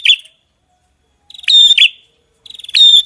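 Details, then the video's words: Songbird singing actively: short, high chirping phrases with a fast buzzy trill lead-in and bright whistled notes, three bursts roughly a second apart, separated by silence. "Masteran Burung Gacor"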